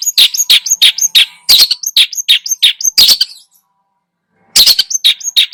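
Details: Long-tailed shrike singing hard with many imitated phrases, used to excite other birds: fast repeated scratchy chirps, about three per second, a second of silence, then a fresh rapid burst.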